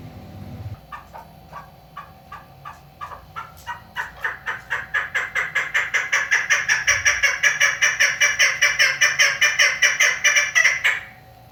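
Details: Female chukar partridge in Pakistan giving a series of harsh clucking notes that speed up and grow louder into a rapid, rhythmic chuk-chuk-chukar chatter lasting about seven seconds.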